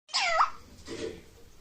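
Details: A pet Indian ringneck parrot, a talking bird, says one quick, nasal, speech-like word that bends down and then up, followed by faint room noise.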